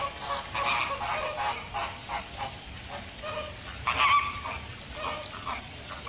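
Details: Flock of American flamingos giving scattered nasal, goose-like honks of varying loudness, one louder honk standing out near the middle, over a steady background murmur.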